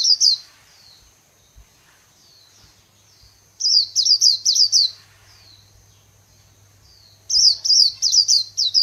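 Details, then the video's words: Líu song of a white-eye belonging to Vietnamese bird artisans: three spaced bursts of shrill, rapidly repeated slurred chirps, with faint softer notes between bursts and a low hum beneath. "KHUYÊN LÍU HAY NHẤT 2019"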